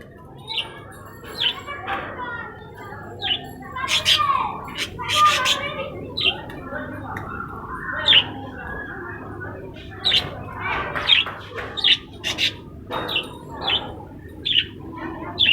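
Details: Budgerigars kept on a balcony chatter with bright, scratchy chirps and quick warbling bursts that tumble over one another.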